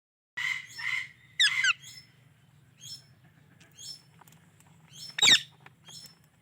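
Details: Indian ringneck parrot giving bursts of harsh, buzzy chirps with sharp rising squeaks, in short clusters separated by pauses, over a low steady hum.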